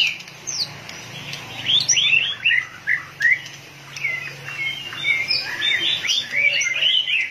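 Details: White-rumped shama, fired up and tail-pumping, sings a lively series of crisp downslurred whistles and twittering phrases, starting sparse then building into a busier, continuous stretch.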